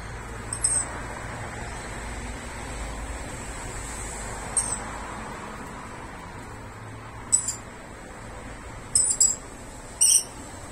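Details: One of three rainbow lorikeets (Trichoglossus haematodus) visiting a camellia, their established territory, gives brief, shrill, high-pitched screeches, single or in quick pairs, at irregular intervals over a steady background rumble.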